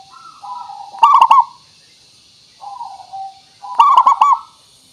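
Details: Local zebra dove with a crystal-clear voice, recorded as a lure so other birds reply immediately. Two loud, stuttering rolled coos, each led in by softer sliding notes, with a quiet coo between them. Faint hiss.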